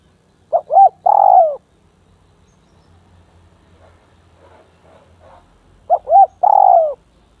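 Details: Spotted dove kept as a decoy and set near an aggressive, bold rival dove repeats its phrase twice, about five seconds apart. Each phrase is two quick soft hoots and a long, falling coo, with faint rustling between.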